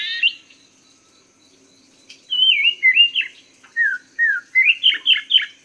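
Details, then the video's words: Chinese hwamei master song for cage bird training: after a brief whistle and a pause, a flowing run of slurred whistles, drawn-out downward notes, then rapid repeated up-down whistles at a quick, even pace. "Masteran Burung Poksay Mandarin | Guru Vokal Burung Kicau"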